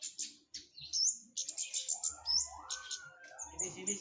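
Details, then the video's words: Actively singing flowerpecker: dense bursts of piercing high ticks and squeaks, followed by a rising then level lower whistle, with faint low thumps. "Burung cabe cabean gacor mantep"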